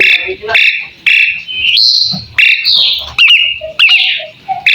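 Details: Asian pied starling in full song, a master recording meant to make other birds answer: loud harsh whistled notes and buzzy bursts, sliding upward phrases and quick doubled chirps, repeated with short gaps.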